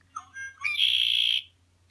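A Red-winged Blackbird sings a few short introductory notes, then a loud, buzzy, rattling trill lasting about half a second. A faint low hum sits underneath.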